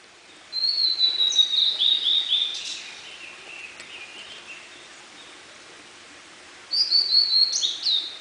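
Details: Blue-and-white flycatcher singing inside a dark forest at Munakata in May 2013: two clear whistled phrases around the high-middle register, the first longer with slurred descending notes, the second brief and fluty, separated by quiet forest background.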